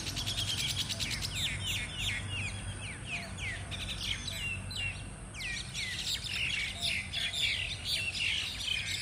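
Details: Mynas in Thailand brawling as a gang, many birds calling at once: rapid runs of harsh squeaks and short downslurred whistles, several bursts a second, briefly pausing near the middle, with a steady low rumble behind.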